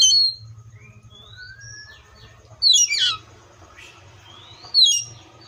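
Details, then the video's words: Seychelles magpie-robin song: long gliding whistles, then a loud raspy downward burst and a rising whistle ending in another sharp note, over a faint continuous low hum. "COPSYCHUS SECHELLARUM BIRDS SOUNDS LIKE IN NATURE LOUD CLEAR SOUNDS"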